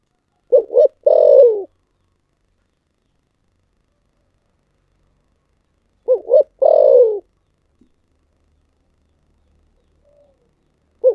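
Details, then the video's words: Spotted dove with the 'thổ sấm' cooing style, heard as two short hoots and a long downward coo, repeated after a five-second silence, with a faint soft note and the start of another phrase at the end. "cu gáy giọng thổ sấm// chim cu gáy giọng thổ sấm chuẩn nhất"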